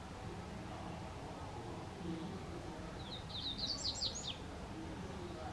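Double-collared seedeater giving a quick burst of high, rising twittered notes lasting just over a second, over a steady low rumble of background noise.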